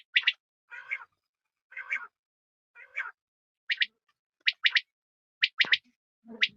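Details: A quail, possibly female, gives soft, buzzy nasal notes about once a second, then sharp, high, clipped whistles, often in quick pairs, with no other sounds.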